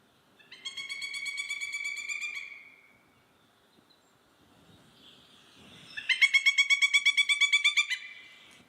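Pileated Woodpecker giving two loud, ringing bursts of rapid, nasal wuk notes, each run lasting about two seconds, with faint room noise between them.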